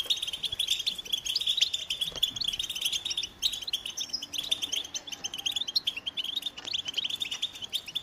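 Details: Melodious American goldfinch song: continuous high, rapid chirping and twittering from several birds, with occasional brighter whistled notes standing out.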